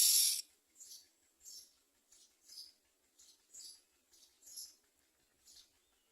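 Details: Begging myna chicks during feeding: one loud rasping burst followed by a run of softer, short hissing calls repeated about every half second.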